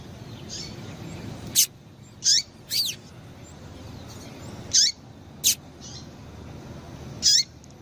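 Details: Female double-collared seedeater piping to make males sing: a series of high, short chips and down-slurred notes at irregular intervals, roughly seven loud ones plus fainter echoes, over a low steady noise bed.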